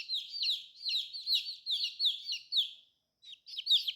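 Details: Baby chicks in bright colors peep continuously, a fast stream of shrill, downward-gliding notes, a brief quiet gap, then a few more loud peeps.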